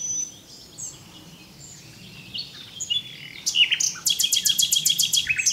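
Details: Common nightingale singing: after a quiet stretch of faint distant bird notes, a loud burst of about eleven rapid, evenly repeated high piping notes ends the phrase.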